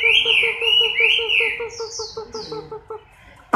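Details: Moulting Chinese hwamei, October 2015, giving a few loud slurred whistles, then thin high downslurred notes as the song fades. A steady pulsing sounds in the background, and a sharp thud comes at the end.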